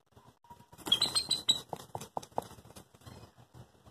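A bald eagle gives a quick burst of thin, high piping notes, a squeaky chitter lasting about half a second, followed by scattered clicks and rustling.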